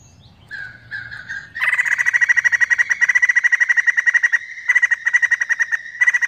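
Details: White-crested laughingthrush in energetic song: short soft whistles lead into a long loud chattering series of rapid harsh notes, briefly pausing and resuming several times.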